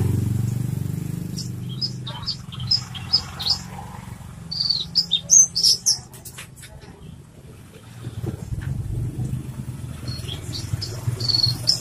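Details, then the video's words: Loud-voiced branjangan, or Horsfield's bush lark, used as a tutor and provoking song for other birds. Short high chirps repeated in quick series, rising to a cluster of piercing notes near six seconds, with low rumble throughout. "branjangan suara keras"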